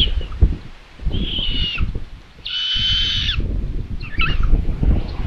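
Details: Common buzzards at a solar-powered live nest camera in Tiszalök, Hungary, 27 May 2022, as the mother brings prey to the nest: three drawn-out, high mewing cries, one shorter and one long and strong, over gusty wind rumble.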